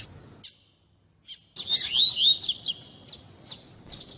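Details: Coleiro tui tui, the double-collared seedeater, female calling to excite a male into song; after a near-silent start a loud burst of whistled slurs and buzzy high notes, followed by sparse chirps.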